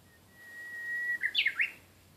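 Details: Japanese bush warbler song opens with a drawn-out, even whistle that swells slightly. A rapid, jumpy phrase of three or four bright notes follows and ends on a rising twist. The setting is calm, with little background noise.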